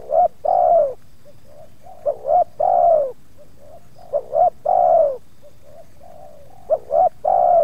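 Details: Spotted dove in a dove-luring setting at Subang, where two wild doves approached and the second put up some resistance; repeated phrases of short stuttering notes followed by a long, mellow, slightly falling coo, about every two seconds.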